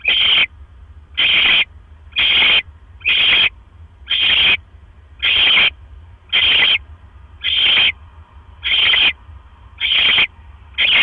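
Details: Barn owl nest, 1:09 AM on 12 October 2015, male arriving with another mouse; a long steady series of about eleven rasping, breathy screeches, one roughly every second, with low hum underneath.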